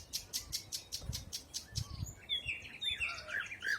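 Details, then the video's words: Spring 2020 in a forest: a string of evenly spaced sharp high chips gives way to a jumble of warbling, twittering notes from several birds. "Пение птиц. Весна 2020."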